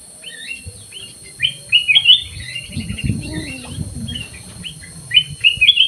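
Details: Aviary-kept black-crested bulbul in full song, giving clusters of quick fluty, rising-and-falling whistles separated by brief pauses, with a low rumbling noise midway.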